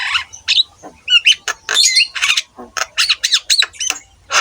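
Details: Javan myna singing energetically in a recording meant to train other mynas to sing: a rapid run of harsh squawks, rasping bursts and short whistled notes, separated by brief pauses.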